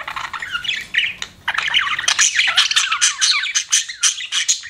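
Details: Pet budgie parrot chirping, a short chattering phrase then a dense run of scratchy warbling with repeated high squeaky notes and clicks.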